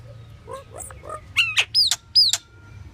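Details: Pied myna giving soft low mumbling notes, then loud sliding whistles and harsh drawn-out notes in quick succession, with a faint steady hum beneath.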